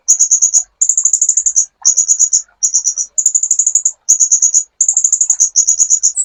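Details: Sunbird song used as a master track for training songbirds: very high, rapid buzzy trills in short bursts of under a second, repeated with brief pauses, clean and without background sound.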